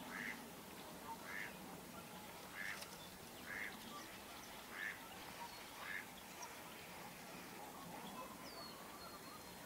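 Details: Wood ducks pairing off: a series of six short, squealing calls at roughly one-second intervals, then a pause, over a steady background hiss with faint scattered notes from other birds.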